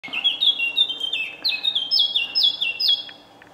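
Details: Eurasian blackcap singing in the morning at Senigallia on 25 June 2016, heard on waking: a quick run of clear, fluted whistles, each sliding downward, stepping slightly higher as the phrase goes on, then fading into quiet.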